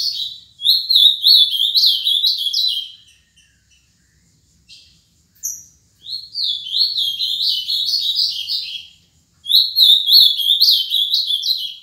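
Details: A 7-year-old ultramarine grosbeak sings three rich, high warbled phrases of two to three seconds each, sliding up and down, with short silent gaps between them.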